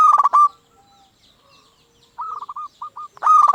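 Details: Local zebra dove decoy singing to provoke rivals: a loud, distorted burst of coos, a pause, a softer broken series of short coos, then another loud burst.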